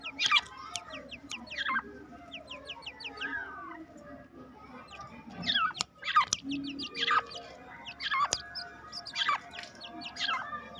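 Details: Two-month-old black francolin chicks, content after being opened into their aviary, give a busy chorus of thin, falling peeps in bursts, with occasional loud snapping clicks.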